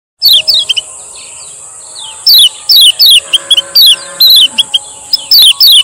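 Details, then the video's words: Male Lemon-bellied White-eye from Lombok, used as a lure to prompt silent birds to sing: very high, thin, quick down-slurred whistles in loud clipped bursts over a steady high ringing tone. "SUARA BURUNG KECIAL KUNING MASTERAN KECIAL KUNING PANCINGAN"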